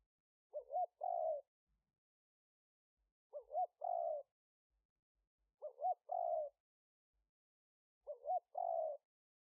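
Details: Spotted dove kept as a decoy for wild doves, smartphone-recorded in Roi Et, Thailand, in 2021: four identical phrases about every 2.5 seconds, each a quick wavering double note running into a longer mellow coo.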